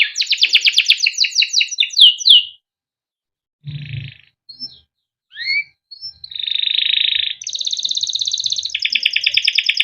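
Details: Male canary in captivity giving long rolling 'cuit cuit' song, played to train young canaries: fast sweeping chirp series, a short low buzz, isolated whistled notes, then sustained rapid rattling trills.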